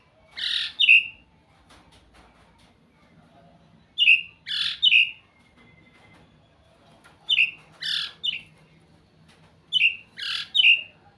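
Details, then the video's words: White-rumped shama singing a sweet, repeated short phrase of three high whistled notes, the last brightest, given four times with pauses of about two seconds between phrases. "เสียงนกบินหลาดง ร้องเสียงเพราะ"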